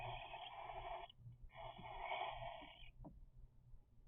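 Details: Three-week-old cockatiel chicks give two long, raspy, buzzing calls in quick succession.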